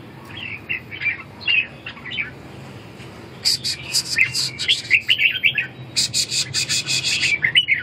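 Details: Red-whiskered bulbul: sweet chirped phrases at first, then a busier stretch of rapid, sharper notes mixed with bright warbles.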